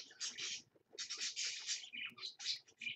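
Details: Early morning, 6 am: a parakeet parent and its two babies chatter in quick, high-pitched chirping bursts separated by short pauses.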